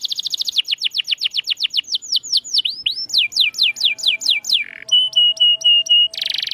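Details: Canary song for prompting silent canaries to sing: rapid downward whistled sweeps slowing into looping notes, then a buzz, a row of flat clear whistles and a final harsh burst.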